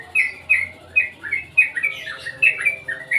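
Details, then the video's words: Sooty-headed bulbul gives a series of short, bright chirping notes, several per second, some in quick bubbly clusters, with a faint low hum underneath. "suara burung crucukan bagus"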